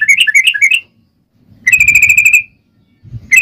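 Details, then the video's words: Yellow-vented bulbul in fighting mood, used as a lure to make other bulbuls reply: a quick burst of bubbly warbled notes, a pause, then a long steady buzzy trill. "SUARA trucukan gacor ROPEL PANJANG buat Pancingan trucukan agar bunyi"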